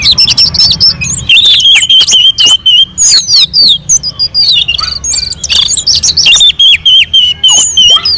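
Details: Orange-headed thrush on a mountain slope, its song used to set other birds singing: a fast, sustained flow of whistles, chips and slurred notes, many phrases per second, loud and varied throughout.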